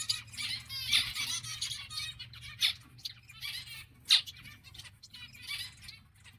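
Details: Exhibition zebra finches calling together, a busy mix of short nasal chirps and buzzy trills with a few louder sharp notes standing out, over a faint low hum.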